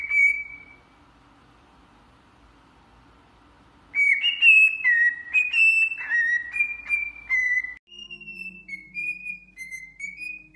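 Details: Cockatiel whistling: a single falling note, a pause of about three seconds, then a lively series of varied slurred whistles. The song ends in softer, steadier whistles over a faint low drone.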